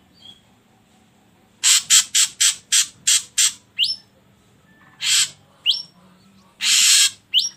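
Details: Ashy drongo, played as a lure to make other birds start singing quickly: a rapid run of seven harsh, buzzy notes, then a rising whistle, a longer rasp, another upslurred whistle and a final drawn-out rasp, in a quiet room with a low hum.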